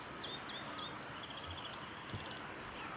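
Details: Japanese white-eye in cherry blossoms at Suga Shrine, 23 February 2019: thin, high chirps and short downslurred notes come at scattered intervals over a steady background hiss.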